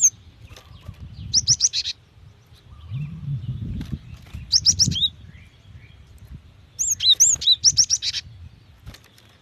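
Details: Female cinereous tit calls toward a male, fast and used to make other tits sing: three separate bursts of rapid, high, buzzy chirps, a few seconds apart, over steady low-pitched background noise.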